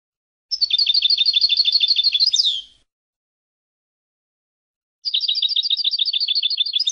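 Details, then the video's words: European goldfinch singing: two bursts of rapid, liquid twittering notes repeated about three per second, the first ending in a quick rising-falling slur, with a silent gap between phrases; clean recording, no other sounds. "Chardonneret - Carduelis Carduelis"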